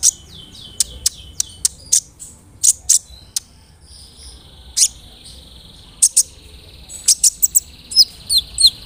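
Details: Big-bodied, persistently singing brown-throated sunbird used as a lure to agitate other sunbirds; sharp, very high chirps and clicks spaced irregularly, with brief twittering trills and a thin sustained high note in the second half, over a quiet background.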